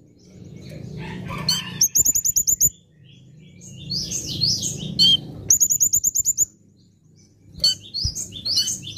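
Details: Sunbird masteran recording for training cage birds: two fast bursts of rattling high chirps, each about a second long, separated by twittering phrases over a low background rumble.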